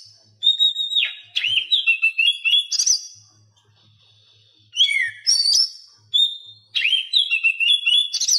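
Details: Song of the Oriental magpie-robin, used as a tutor recording for captive birds that will not sing; clear whistled phrases sliding downward, interrupted by sharp notes, in three bouts with silent gaps.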